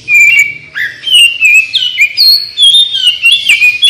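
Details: Oriental magpie-robin singing energetically, used to prompt birds to answer: rapid run of bright whistled phrases, slurred up and down, with short bursts separated by brief pauses.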